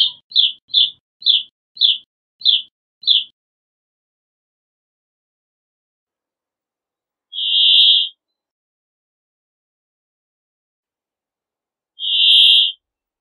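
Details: Brambling: a rapid run of seven sharp, down-slurred chirps, then two drawn-out, rasping buzzy wheezes spaced roughly four and a half seconds apart, with silence between.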